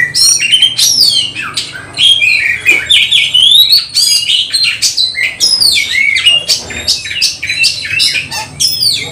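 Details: Oriental magpie-robin singing in a fight meant to raise emotion: rich, fast run of rising and falling whistles, sweeping slurs and sharp ticks, nearly continuous and loud, over a faint low hum.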